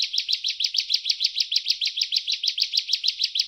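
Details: Ciblek, the bar-winged prinia, delivers a steady, rapid series of buzzy chirps, roughly five or six per second, unbroken for the whole stretch, from a birdkeepers' training recording.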